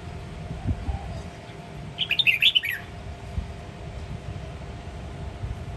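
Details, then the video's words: A bulbul of the red-whiskered kind, from Sông Kon stock in Quảng Nam, gives one brief, rapid warbling burst in the ché nẹt multi-voiced style, nearly a second long, amid constant low rumble. "Chào mào hót nhiều giọng: ché nẹt siêu hay"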